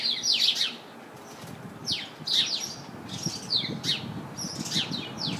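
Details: Chirping house sparrow in a bush full of house sparrows: bright, slurred descending chirps in short bursts of two or three, separated by brief pauses, with faint low rumbling in the background.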